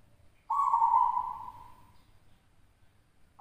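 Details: Champion local zebra dove from West Java at a Javanese singing contest utters a single sustained coo that swells then tapers off over about a second and a half, with the next note just beginning at the end.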